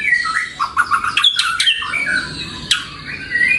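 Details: White-rumped shama song used as a lure and master recording for training pet birds: loud, varied phrases of slurred whistles and sharp chirps, quick notes shifting up and down in pitch, with short pauses between bursts.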